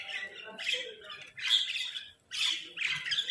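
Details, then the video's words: Crow giving a food call: harsh, raspy squawks in two bursts with a short gap between, rough and broad in tone, with faint background noise. "Crow Food Call"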